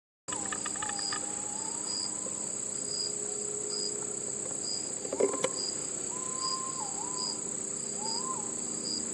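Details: Male white-bellied green pigeon (Treron sieboldii) sings soft, wavering fluted whistles that rise and fall, over a steady high insect drone and ticking insect pulses. Recorded in mountain woods beside a road in Japan, sunny early afternoon around 12:40, early October 2025.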